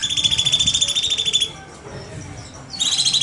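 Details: A bulbul known as cucak cungkok gives its 'nembak' shooting song for training birds: a burst of quick, buzzy, repeated pulses, a pause of about a second, then the pulses resume.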